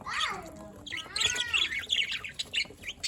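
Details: Budgerigar chatter from 27 October 2023 opens with drawn, sliding whistle-like notes, then breaks into quick, scratchy chirps.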